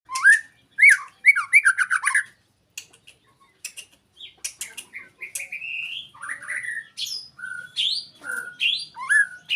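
White-rumped shama song opens with harsh, chattering squawks, then turns to varied clear whistles, rising slurs and quick high notes in a rich, unhurried run.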